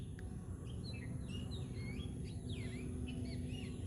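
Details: Black drongos, many present and sitting in pairs in a garden area, calling: a run of varied, sliding whistles and twangy chirps, some rising and some falling, over a constant low rumble and a steady high hiss.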